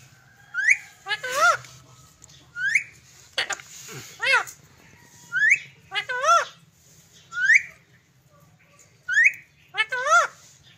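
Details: Pet green parrot indoors giving short rising whistles that alternate with wavering, harmonic, speech-like phrases, repeated every second or two over a steady low hum.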